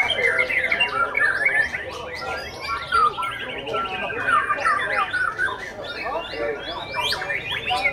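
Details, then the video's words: Oriental magpie-robin, a young bird, performing a loud, dense, varied song of rapid whistled and chattering phrases, sweeping up and down without pause across eight seconds. "aksi murai junior"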